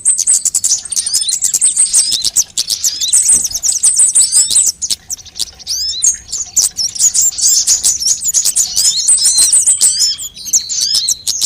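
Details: Several sunbird kinds heard together for luring wild birds and prompting caged ones to sing: busy, piercing high twitters and clipped chirps, with fast rattling trills and brief lulls among the crowded notes.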